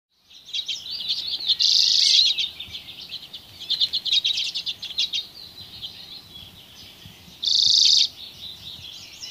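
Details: Dozens of common redpolls foraging on alder cones in Haren in 2024 keep up a high, dry chattering twitter, broken twice by loud, harsh buzzy bursts about six seconds apart.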